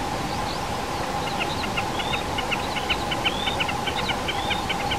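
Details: Common snipe in a peat bog at 1420 m in the Krkonoše mountains, giving a rapid, steadily repeated series of clipped ticking notes, roughly three per second. Thin rising whistles of other birds overlap, over a constant droning background noise.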